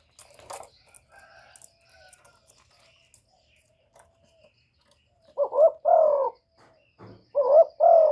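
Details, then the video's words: Spotted dove call used to lure wild doves: faint chirps and whistles of other birds at first, then two loud, deep two-part coos, a brief lead note followed by a drawn-out throaty note. "CU GÙ CỰC SUNG BÀI BẢN DÙNG ĐỂ MỞ KÍCH CHIM BỔI, TERKUKUR, Tiếng chim cu, cu gáy kích bổi"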